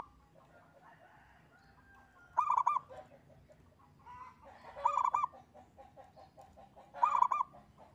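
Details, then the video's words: Engkel-style song of a local zebra dove, played to prompt other birds to sing: three crisp, rapid trilled coo bursts about two and a half seconds apart, with faint chatter and background noise between them. "Kutut Lokal Gacor‼️ENGKEL Untuk Pancingan Bunyi"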